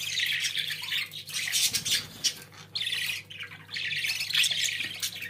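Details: Several pet budgerigars chattering in a continuous, busy warble of scratchy chirps and squeaks, with brief pauses between bursts and a soft low hum in the background.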